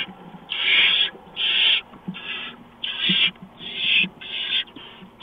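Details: Mouse arriving at a barn owl nest in early morning darkness, 6 March 2015. Seven hoarse, hissing screeches are spaced about every three-quarters of a second, with soft thumps between them.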